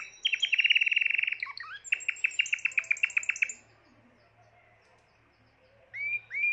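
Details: Timbrado canary, the seventh bird in its keeper's collection, recorded in 2020, singing fast metallic trills around two to three kilohertz, then rising bell-like notes, a short gap of near silence and two rising whistles at the end.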